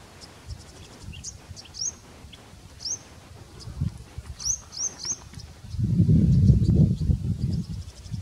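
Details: Grey-breasted prinia in Bundala National Park, Hambantota, Sri Lanka, January 2019: thin, very high chirps in quick bursts of three or four, nearly drowned by low wind rumble that swells near the end.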